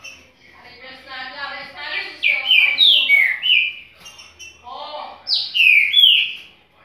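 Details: Paraguayan green-winged saltator singing bold, fluty whistled phrases in two bursts, slurred up and down, with a lower harmonic, voice-like sound mixed in at the start and in the middle.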